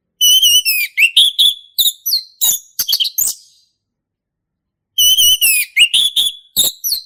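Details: Male orange-headed thrush from the forest singing in the loud ngeplong style, used as a tutor for young birds: two bursts of varied clear whistles and quick sharp notes, with a silent gap between them.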